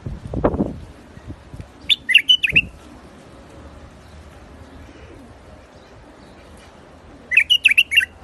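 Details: White-eared bulbul (Iraqi bulbul) in rooftop gardens sings two separate short warbled phrases about five seconds apart, each a quick cluster of liquid whistles; a low thump opens the recording.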